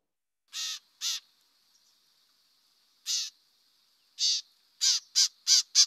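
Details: White-eyed vireo (Vireo griseus), a DuPage County bird of woodland edges, thickets and heavy undergrowth, giving its call note: harsh, raspy scold notes in a pair, a pause, a single, then a quickening run of five, over faint hiss.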